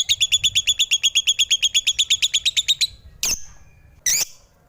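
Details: A lovebird delivers quick, even chatter of bright, buzzy notes, about six a second for three seconds, followed by two separate harsh squawks.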